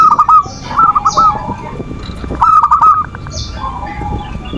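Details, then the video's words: Zebra dove song played to bait rivals and bring doves into breeding condition; three brief phrases of rapid cooing notes, each with a lower echoing coo beneath, spaced by quiet background. "Suara perkutut pancingan birahi dan emosi,the sound of turtle doves to lure passion and emotion"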